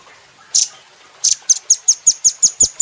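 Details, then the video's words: Velvet-fronted nuthatch, a training recording for cage birds: two short buzzy high bursts, then a fast series of about nine sharp high chips repeated roughly every fifth of a second, steady and clear over a quiet background. "Rambatan Doraemon Super Gacor"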